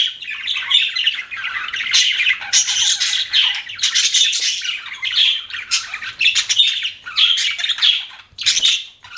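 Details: Chattering pet budgies give rapid scratchy chirps, nasal squawks and warbling trills in uneven bursts, louder clusters rising and falling with brief pauses, several birds overlapping in busy continuous calling.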